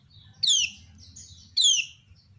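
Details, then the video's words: Female common iora calling, answered by other ioras: two loud, sharp downslurred chirps with harmonics about one second apart, separated by a fainter thin whistled note, over a faint low hum. "Ciak Betina Burung Kecial Kuning Memancing Bunyi Banyak Kecial lain Nyaut"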